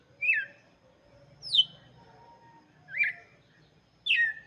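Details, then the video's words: Red-cowled cardinal song for chicks, four loud slurred notes, some rising then falling, others dropping steeply, spaced about a second apart in a quiet setting. "cantoria de galo de campina para Filhotes - canto do galo de campina"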